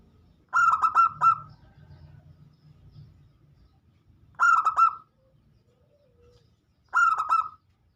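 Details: Local zebra dove in steady song, played as a lure so other doves sing too; three stuttering coo phrases spaced several seconds apart, the first with a low rumbling hum beneath it.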